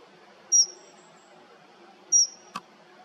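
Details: Dunnock call: two thin, very high, short piping notes about one and a half seconds apart, followed by a brief click, over faint background noise.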